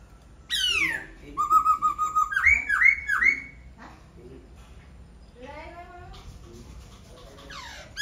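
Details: Laughingthrush song: a descending whistle, then a rapid rattling run of repeated notes rising into looping whistled phrases, followed by quieter softer warbles and faint background sounds.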